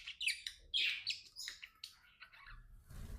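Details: Budgerigar companions chatter in a quick warble of squeaky chirps and buzzy notes. A low rustling noise rises at the end.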